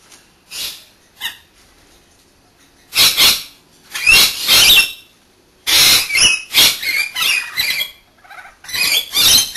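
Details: Rainbow Lorikeets, two kept birds, having a bath one after another; a few soft splashes, then harsh squawking bursts, some with bent whistled notes, repeated irregularly.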